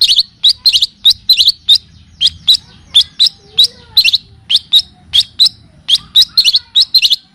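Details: Long-tailed shrike (cendet/pentet) recording used as a training and lure sound for captive birds, in the style of kapas tembak and cililin songs. Sharp, high chirps are repeated in quick bursts, about three every second, with faint low background rumble.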